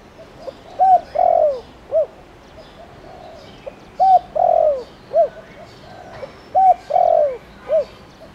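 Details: Decoy spotted dove singing in the 'thổ đồng' voice style to lure wild birds into answering; mellow four-note phrases, each ending in a drawn-out descending coo and a short final note, given three times in steady succession.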